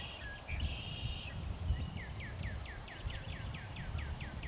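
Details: A male Northern cardinal sings before sunset in spring: a brief whistled note, then a fast run of about ten clear down-slurred notes, over a steady low rumble of distant traffic.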